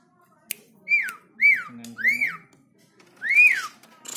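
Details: Black-winged starling, tame captive bird, singing to provoke other birds to sing: four loud arched whistles that rise then fall, each about half a second, with a click and faint background sounds.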